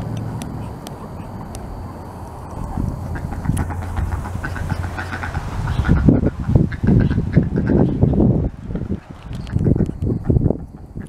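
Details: A tiny female Indian runner duck with Cayuga ancestry, on her first day out of the coop on 19 August 2023 mixing with Muscovy and Pekin ducks; rough, nasal quacks in quick, uneven bursts over a low rumble with possible voices.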